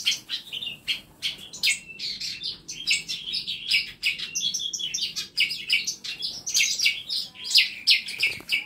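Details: Masteran birds in a compact home aviary fill the air with steady, overlapping high chirps and twittering phrases, with sharp clicks mixed throughout.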